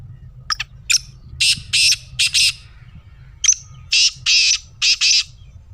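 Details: Black francolin call, used to get a pet francolin calling: two harsh, grating phrases, each a sharp high note followed by four rasping bursts, over faint low background hum.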